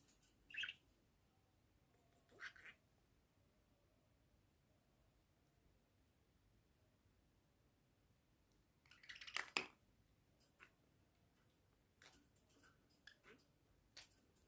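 A budgerigar gives a few brief, scratchy chirps and squawks, with quiet pauses between them in a small room.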